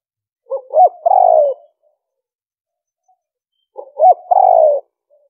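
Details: Spotted dove giving a 'liêu ròng' style coo used to lure wild birds: two short hooked notes, then a long, slightly falling, throaty coo, repeated twice about three seconds apart against a silent background.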